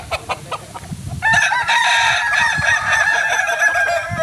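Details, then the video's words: Kukuak Balenggek rooster, a pure Solok breed from West Sumatra, gives a loud sustained crow from about one second on. It ends in a long wavering tail, after soft rustling and scattered knocks. "Ayam kukuak balenggek akb ayam his asli solok sumbar"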